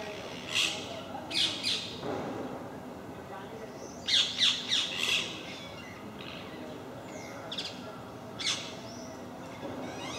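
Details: Parakeets at MK park, a group visiting regularly and raising a racket: sharp shrill screeches in paired and tripled bursts, with softer distant calls between.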